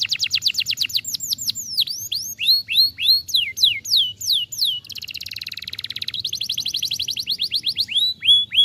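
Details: Canary song for prompting a quiet bird to sing again, a long varied phrase: rapid falling whistled notes, swooping slurs, a dense buzzy rattle in the middle, then quick repeated chips and arched whistles.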